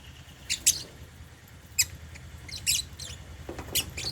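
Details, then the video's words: African lovebirds in a cage at meal time, eating holy basil; short sharp high chirps in scattered bursts, a few clustered pairs, over a low steady background hum. "Meal time | African Love birds | Eating Holy basil | chirping sound"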